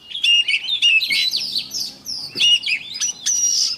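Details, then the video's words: Morning practice singing of an oriental magpie-robin, sung to fire up birds: clear, loud whistled phrases mixed with rising and falling slurs and short chatters, delivered in quick bursts. "Chòe than mồi hót luyện giọng mỗi sáng nhanh lên lửa"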